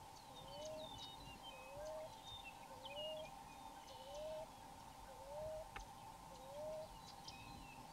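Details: Wild common ground dove cooing from a tree, chest expanding as air is pushed through the nostrils: six soft, low, slightly rising coos about every 1.2 seconds over a steady high hum, with faint chirps of other birds.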